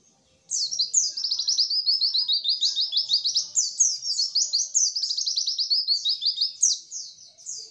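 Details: Sustained white-eye song meant to stimulate lazy-singing birds, a dense, high, chattering stream of quick descending slurs that pours on almost unbroken for about seven seconds.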